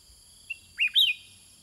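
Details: Sooty-headed bulbul, caged, trading songs with wild birds: a brief click and then a bubbly two-part whistle sliding down and up, the second part strongest, with faint low rumble and high hum behind.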